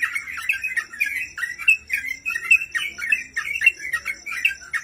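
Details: Sooty-headed bulbul, a cage bird sung as a master recording for training; bubbly chattering phrases with bright whistled peaks, run together almost without pause, over a faint steady high hiss and low hum.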